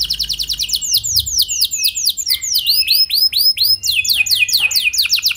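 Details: Lure recording of canary song meant to prompt other canaries to sing along: continuous chain of high, sharply descending whistled sweeps, grouped in tours that shift pace, delivered loud and without pause.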